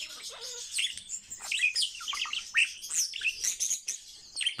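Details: Pet male common starling singing indoors: a dense, continuous medley of high chirps, whistles, rasping buzzes and squeaky warbles, without pauses.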